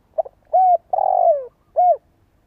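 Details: Spotted dove decoy bird cooing, meant to set other doves cooing: a stuttered opening note, a short arched coo, a long buzzy coo sliding downward, then a final arched coo, all low and clear.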